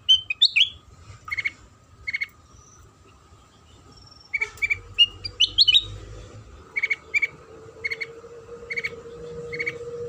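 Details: Sooty-headed bulbul song used to provoke other bulbuls into singing: bursts of sweeping whistles and paired short notes repeated at roughly one-second intervals, over a steady hum and a faint droning tone.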